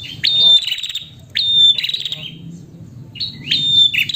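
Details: High, piercing chirps with a held whistle from a female prinia calling to the male, delivered in three clear bursts separated by quieter gaps.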